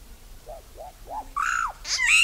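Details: Solitary black cacique, also called iraúna de bico branco, bauá or boé: a few soft arched notes, then a louder descending slurred phrase and a final bright harmonic whistle with rich overtones.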